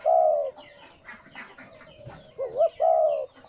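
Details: Spotted dove cooing to stimulate new captive doves: a long low coo opens, a pause filled with faint bird chirps follows, then a quick rising double note and another sustained coo.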